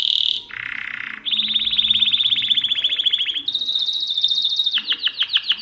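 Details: Mosaic canary singing a sequence of tours: a short high note, a lower buzzy phrase, then a long rapid trill of repeated notes, a higher fast roll, and slower pulsed notes at the close.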